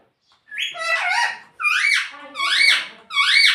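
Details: Pet talking parrot, kept indoors, which is said to say "Mummy". Three loud, harsh, squawky voiced phrases, each arching up then down, with pauses between them. The room is otherwise quiet.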